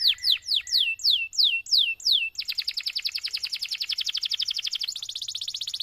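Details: Canary in a long training song for other canaries: about eight loud downslurred whistles spaced roughly a third of a second apart, then a fast, even, rolling trill lasting several seconds.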